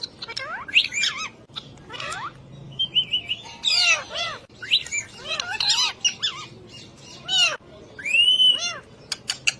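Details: Ring-necked parakeet chattering with arched, rising-then-falling squawks and warbled speech-like syllables, spaced irregularly across ten seconds. A louder burst comes near the end, followed by a few sharp clicks.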